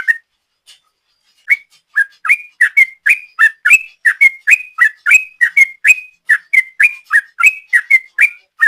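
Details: Sooty-headed bulbul in long ropel song for luring: after a quiet start, a steady stream of quick whistled notes runs on for about seven seconds, each slurred up or down, with no pauses.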